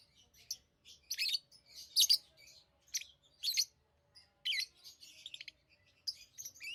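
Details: Pet lovebirds chirping and squawking: harsh, high, buzzy bursts in clusters, some loud and ragged, with quieter twittering between.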